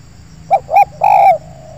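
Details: Spotted dove, a wild bird lured near a decoy in an oil palm plantation. It gives a mellow three-note coo: a brief note, a quick doubled coo, then a long sustained coo that fades into a soft trailing tone. A steady low hum sits beneath.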